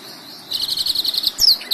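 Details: Black-throated canary song for training canaries, blackthroats and yellow-fronted canaries, opening with a rapid, even buzzy trill of about fifteen notes, followed by a sharp, high downslurred whistle.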